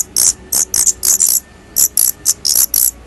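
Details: Shrill, hissy high-pitched notes from Daurian redstart nestlings leaving the nest for the first time, delivered in uneven clusters of two or three with brief silences between.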